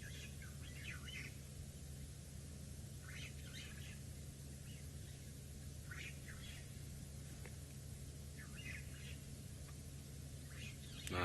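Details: At a dam at sunset after rain clouds cleared, on an African safari reserve, a starling in the background makes a lot of noise: scattered bursts of chattering, squeaky chirps every second or two over a steady low vehicle or wind rumble.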